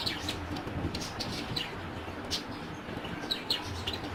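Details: Budgerigar chirping in short, bright bursts over a low indoor hum while playing in front of a mirror.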